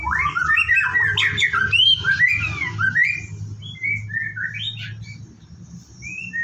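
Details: A captive white-rumped shama at a bird farm in its morning routine before a bath, delivering a tumbling burst of varied whistles, then sparser clear single notes, over a low hum.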